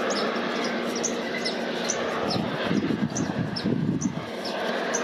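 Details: White-vented violetear (Colibri serrirostris) at Campo Quijano, Salta, giving thin, high chips about twice a second, partly masked by a steady traffic-like rumble.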